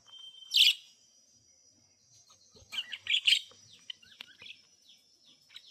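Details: Budgies give a loud bright chirp near the start, then after a pause a cluster of scratchy chirps and softer twittering continues to the end over a faint steady high tone.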